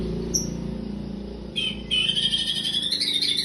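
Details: White-rumped shama after moult singing a bright, high whistled phrase that rises and warbles, dense rapid notes in the second half, over a low steady hum.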